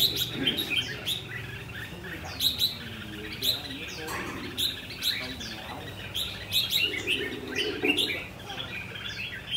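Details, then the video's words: Caged red-whiskered bulbul singing rồ ché in a tall square cage with four corner perches: lively bursts of whistled, chattering notes recurring about once a second, with people talking quietly in the background. "Chú chim lồng vuông cao 4 cầu góc của mình rồ ché hay quá các bạn ơi"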